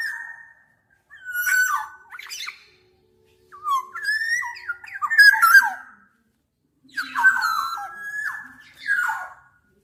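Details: Black-naped oriole repeating short fluty whistled phrases roughly every two seconds, each slurred and wavering in pitch, with quiet gaps between and no other sounds.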